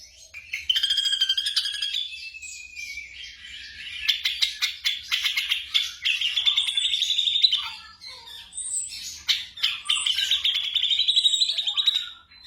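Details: Black drongo singing for night training of caged songbirds: a sustained chattering, buzzy warble of fast repeated notes, broken by brief pauses and high squeaks, continuing throughout.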